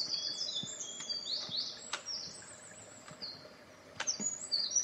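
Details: A Eurasian wren sings on May 21 in a dim spot: a loud, very high, rapid song of tumbling trills and sharp notes, almost without pause, over faint outdoor background.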